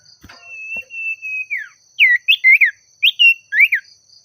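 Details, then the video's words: Loud pied triller (sirtu) calling for a rival: a long level whistle that slides down at the end, then a quick run of looping, up-and-down whistled phrases. A couple of soft knocks come early on. "Suara Burung Sirtu/Cipoh Gacor Memanggil Lawan Bikin Emosi"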